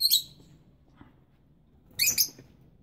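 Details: Rosy-faced lovebirds, young and parents incubating, give a shrill chirp at the start and a rough double chirp two seconds later, with little else heard.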